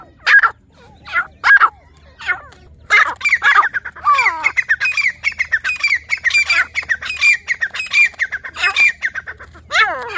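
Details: Grey francolin (teetar) calling in jungle during breeding: a few spaced, loud, harsh ringing bursts, then a fast run of squawky repeated phrases roughly every half second, over a faint steady low hum.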